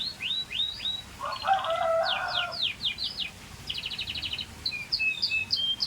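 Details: Scotch Fancy canary song with quick trilled phrases, buzzy rattling bursts, repeated slurred whistles and clipped high notes, changing tempo between sections.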